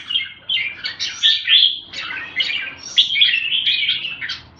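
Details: Red-whiskered bulbul (jambul) giving a short run of sweet, tumbling warbled phrases with rising and falling slurs, over a soft low background murmur.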